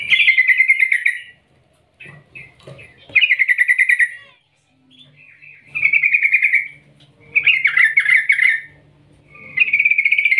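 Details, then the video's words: Javan pied starling, trucukan in the local name, calling in long rolling and trilled phrases used as a lure to set other birds singing; bursts of harsh chattering notes about a second long, separated by short pauses, with faint low background noise. "Panggilan trucukan gacor Ngerol Ngetir panjang"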